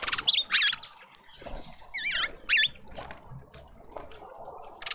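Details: Several mousebirds at a feeder in a South African suburban garden in Pretoria: brief harsh buzzes and squeaky, twisting whistled notes, uttered in uneven clusters with gaps between.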